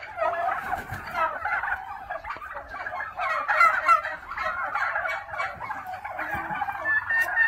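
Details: Black Spanish turkeys at a hatchery: steady overlapping gobbles and throaty chatter from a group, rising and falling in loudness without pause.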